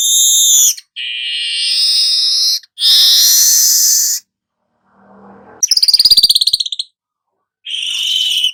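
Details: Golden-headed weaver singing, intended for tutoring other birds: long harsh buzzy notes alternate with a rapid ticking trill and a final rasping phrase, with short silent gaps between them.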